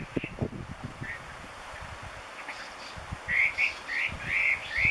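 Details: A Chinese hwamei in Gunma, Japan, sings loud, busy, rich slurred whistled phrases in quick succession, growing louder toward the end; low rumbling and faint background noise underneath.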